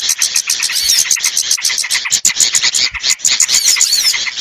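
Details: Small-bird lure sound used to attract hard-to-lure birds: rapid, busy bursts of sharp high chirps and twittering notes, irregularly spaced and crowded together, with brief dips between clusters.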